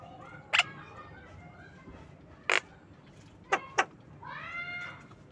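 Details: Javan myna in the afternoon giving four harsh, rasping bursts, the last two close together, then a drawn-out nasal, whining note with a faint hum behind.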